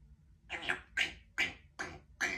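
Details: Female pet Congo African grey parrot, with her owner while he works, imitating a chimpanzee with five harsh, breathy hoots about every half second, rough and broad in pitch; a low room hum underneath.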